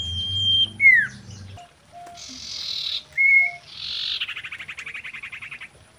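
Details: Mating song of a female common iora, locally sirtu or cipoh, used as a lure: a whistle with falling slur, buzzy hissing notes, a short level whistle, then an even, fast trill fading out.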